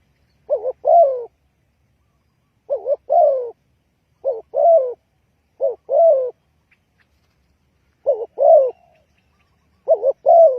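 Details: Spotted dove call used as a lure to attract wild birds for trapping: low, hoarse cooing phrases, each a quick double note followed by a longer throaty coo, repeated every one and a half to two seconds over a silent background.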